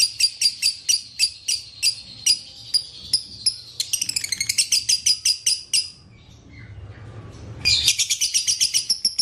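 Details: Leafbird song meant to get a leafbird singing again: quick high chirps in steady rhythm, a fast twittering burst, a short pause with faint low rumble, then dense bright trilling.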